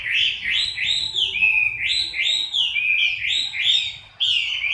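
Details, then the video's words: Chinese hwamei singing while moulting in October 2015: a series of rich, rising-then-falling whistled phrases repeated about once a second, each ending in a short slur. A brief pause comes near the end. "HỌA MI THAY LÔNG"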